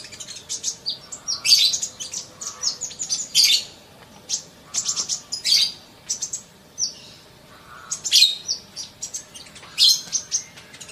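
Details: Sunbird masteran aimed at quick singing: repeated phrases of fast, high, shrill chirps and trills, each lasting a second or so, separated by brief quieter gaps, with a few low warbled notes between them.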